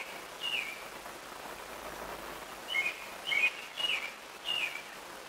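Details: Robin adult bringing food to babies in the nest, day 19, 27 May 2018; a faint note early, then four louder wavering whistled calls in quick succession toward the end, over low background noise.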